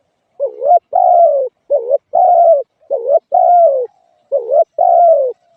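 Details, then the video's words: Rhythmic spotted dove cooing with four phrases, each a quick dipping note paired with a longer falling coo, delivered at an even pace. "suab nquab lauj kaub tawg เสียงนกเขาใหย่"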